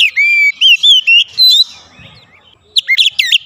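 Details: Oriental magpie-robin kept in a house, singing: a string of four to five clear level whistles, a soft pause, then sharp rising notes in quick succession.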